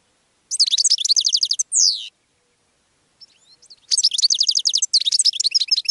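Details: Goldfinch song to draw other birds: a brisk high twittering phrase closed by a falling drawn-out note, a pause with faint soft notes, then a longer burst of rapid tinkling, buzzy twitters.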